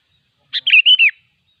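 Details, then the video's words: Sooty-headed bulbul (kutilang) in the wild singing a single brief phrase: a clipped opening note then three rich, fluty warbled notes run together, the last dropping in pitch; no other sounds. "suara burung kutilang ASLI ALAM LIAR || semua kutilang pasti gacor"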